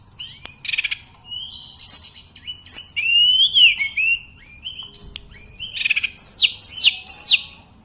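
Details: Sunda robin (tledekan gunung) singing constantly: varied high phrases with sharp clicks, a rising whistled slur, then a run of three or four loud arched whistles at the end, quiet background.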